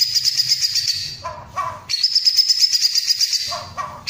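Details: Cililin used as a song model for white-rumped shamas, delivering dense, loud, high rolled trills in long bursts, with brief lower whistled double notes between the rolls.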